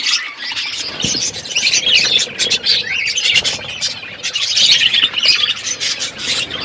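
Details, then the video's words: Parrots chirping while eating, February 25, 2024: unbroken high, rapid twittering from several birds, with sharp clicks mixed into the chatter. "Beautiful Parrot eating food birds chirping sounds"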